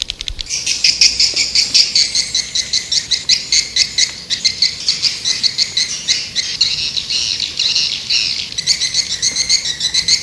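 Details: White-nest swiftlet lure call used to attract swiftlets: a dense, continuous high twittering of rapid buzzy chirps, pulsing several times a second throughout, with no other sounds.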